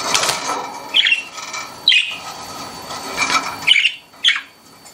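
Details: Pet budgerigars giving scattered bright chirps about once a second over a busy, noisy indoor background with overlapping chatter.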